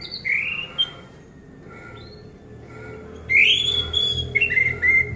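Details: Orange-headed thrush, a caged bird, song played to prompt silent birds to sing: scattered rising and falling whistles, a pause, then a loud burst of varied, slurred whistled phrases.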